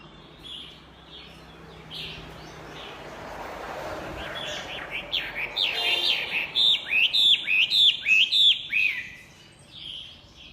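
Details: Chinese hwamei in vigorous song: a soft warbled opening, then a loud run of repeated slurred, rising-and-falling whistles, about a dozen notes in quick succession.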